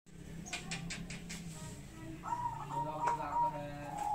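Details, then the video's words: Zebra dove (perkutut) singing actively gives soft, clipped cooing notes in a quick, uneven run in the second half, over a low background hum and faint music. "Perkutut Gacor"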